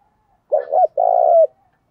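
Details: Caged decoy spotted dove singing in the 'giọng thổ' style, cooing hard: a quick pair of bent, hollow notes followed by one drawn-out, vibrating coo that drops at the end, with silence around it.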